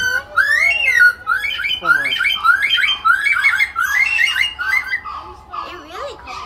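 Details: Lyrebird mimicking other birds, delivering a rapid run of loud varied notes, chirps, upslurred whistles and warbling trills in quick succession, ending in a softer rising-falling note.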